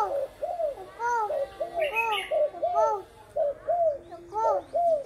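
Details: Cooing 'cu thái' dove in the 'gù khách' style: soft, arched, hooting coos repeated roughly once a second in uneven runs, with brief higher squeaky notes near the middle, in a quiet room.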